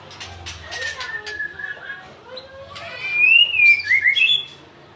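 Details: White-rumped shama of the Medan type, said to be angry: soft scattered chirps and clicks, then a loud, clear whistled phrase rising and falling, with quick slurred notes toward the end.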